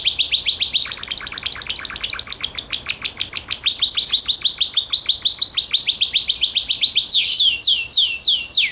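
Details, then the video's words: Gloster canary song: a long rapid trill of repeated rising notes that shifts pitch several times, ending in a series of loud, sweeping whistled notes that slide downward. "CANARIO GLOSTER"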